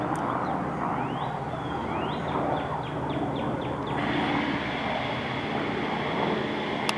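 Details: Red-bellied woodpecker chick on Palm Ave in June 2015 gives a few rising squeaks, then a quick run of short high notes, over steady traffic rumble and a thin insect-like drone.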